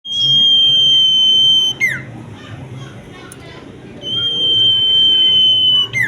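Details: Common iora in action: a long, steady, pure high whistle held about one and a half seconds, ending in a quick downward slur, given twice, over a faint low murmur.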